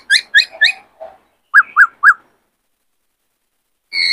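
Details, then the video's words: Male white-cheeked laughingthrush kept for training newly caught birds, in full form and singing with varied voices; three quick chirps, a low note, then three rounded whistled notes, silence, and a final sustained note. "Khướu bạc má hót nhiều giọng hay Luyện khướu bổi kích khướu trống căng lửa hót múa"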